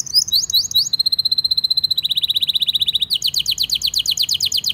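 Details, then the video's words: Canary delivering a long lure song to train young canaries and prompt silent ones: chattering notes, a steady high even trill, a faster buzzing trill, then rapid descending rolled phrases. "PANCINGAN KENARI GACOR PANJANG Ini Cocok Untuk Masteran Kenari PAUD & PANCINGAN Kenari MACET BUNYI"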